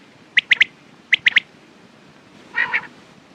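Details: Quail calling with sharp three-note phrases, a single note then a close pair, repeated twice in quick succession; a softer, buzzy, nasal double call follows near the end.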